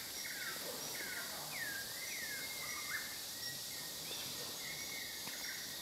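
Blue-rumped pitta giving thin, slurred whistles that dip and rise, several notes in under six seconds, over a steady high insect hiss.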